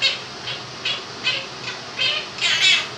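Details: Indoor two-year-old Quaker parrot copying the tune 'If You're Happy and You Know It', giving a rhythmic string of about seven raspy do-do-do notes roughly every half second, fan humming throughout.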